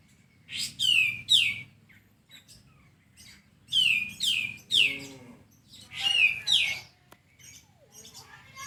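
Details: A sooty-headed bulbul repeats doublets of bright, steeply falling notes, with three pairs spread over several seconds. One pair carries a lower echoing tone, and a faint hum runs underneath.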